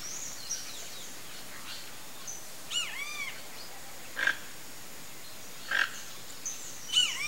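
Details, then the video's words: Several toco toucans vocalizing as a flock, giving rough grunting croaks spaced a second or more apart, with curved whistled notes of other birds around them. "TOCO-TOUCAN flock Toucans vocalizing"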